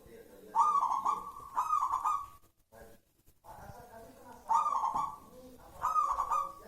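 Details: Local wild-type zebra dove giving rolling, throaty coos in two-part phrases, each burst lasting about a second and repeated after short pauses. A brief quiet gap falls in the middle.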